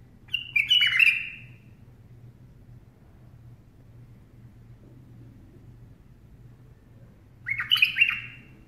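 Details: Bulbul singing while perched on a person's hand: two short bursts of chirpy, warbled phrases, one near the start and one near the end, separated by quiet with a steady low hum underneath.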